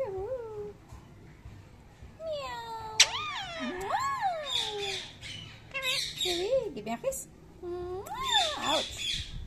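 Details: Pet Indian ringneck parakeet saying thank you: harsh, buzzy high bursts and short squawks scattered between a woman's rising and falling sing-song voice greeting and praising the bird, with soft music underneath.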